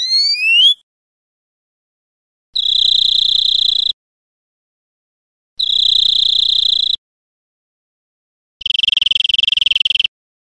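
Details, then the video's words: European Greenfinch song recorded in Spain in 2013: a quick rising whistled sweep, then two steady buzzy wheezes of about one and a half seconds each, and a final rougher rattling buzz, separated by silent pauses. "Canto de Verderón 2013 / España"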